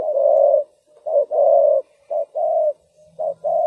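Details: Spotted dove used as a lure bird for trapping wild doves: loud low cooing notes near 600, a short coo followed by a longer drawn coo, repeated in a steady phrase about once a second, with a faint low hum in the background.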